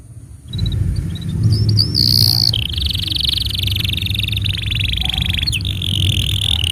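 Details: Canary tutor song, used to train young canaries and to prompt silent ones into singing: after a brief silence, a few high whistled notes give way to long, continuous rolling trills with buzzy, rattling passages, over a steady low rumbling hum.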